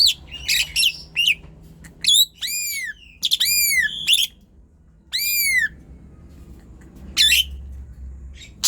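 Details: Intense gacor song of an Asian pied starling, a lure for slow, quiet birds: stuttering chirps lead into a run of four strong arching whistles with rich overtones, then a final sharp note.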